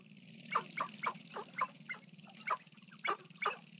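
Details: Sharp-tailed grouse at a lek in Colorado in April 2014, recorded at close range with an iPod. The bird gives a rapid series of about nine sharp, hoarse clucks and pops in under four seconds. A steady low hum sits underneath.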